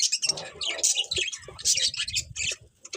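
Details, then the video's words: Morning bird chirps, high and rapid, over a steady low pattering or scratching noise that runs through most of the recording. "Cute Birds Chirping Sounds In The Morning"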